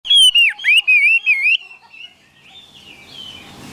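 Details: Caged Chinese hwamei singing loud, clear whistled phrases that rise and fall and bend sharply, delivered in quick bursts for about a second and a half, then fading into softer slurred notes over a rough background hiss.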